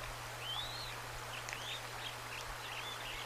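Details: Bald eaglet chicks, a day old and newly hatched, at the nest on a March 25, 2024 afternoon as the adult female feeds them bits of trout; faint thin high whistles arch up and down, a few short peeps following over steady low hum.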